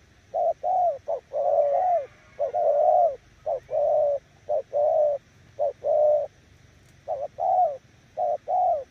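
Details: Spotted dove with a strong 'gù' coo, claimed to defeat weaker decoy birds: a long run of about eight low paired coos, short note leading into a longer slightly falling one, repeated steadily.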